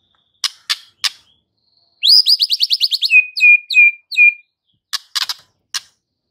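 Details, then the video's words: Song of a White-rumped shama used to stir up fighter males: a few sharp clicks, a fast rattling trill of upswept notes, then four clear steady whistles and more clicks. "MURAI BATU FIGHTER akan TERPANCING EMOSI NYA dengan Murai Batu GACOR INI"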